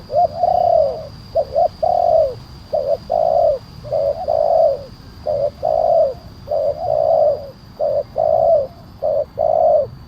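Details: Lure calling of a spotted dove with a big voice, meant to draw wild doves down: continuous mellow coo phrases, paired short notes alternating with longer downward-sliding coos, repeated steadily for ten seconds, a thin high hum behind.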